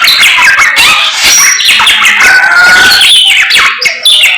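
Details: Morning song of a samyong, a lively stream of rasping notes mixed with clear pure whistles that glide up and down.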